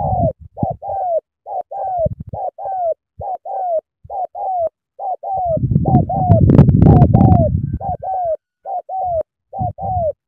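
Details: Spotted dove, a spirited bird cooing strongly: paired coos, a short note then a longer falling one, repeated steadily, with a burst of low thumping and rustling noise in the middle.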